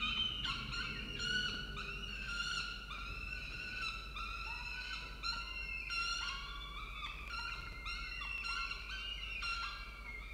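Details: Food delivery by a male peregrine falcon at a nest in Orange, Australia: a continuous run of rich, ringing wails, about two to three per second, often overlapping, over a constant low-pitched hum.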